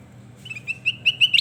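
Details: Kutilang emas (sooty-headed bulbul), a training recording for cage birds: a run of short whistled notes near the same pitch, each swelling louder and closing on a higher note, over a quiet low hum.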